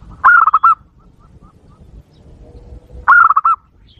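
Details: Zebra dove lure call played to make wild doves respond aggressively: a pair of loud rolling coo bursts about three seconds apart, each of several quick descending notes, with soft background noise.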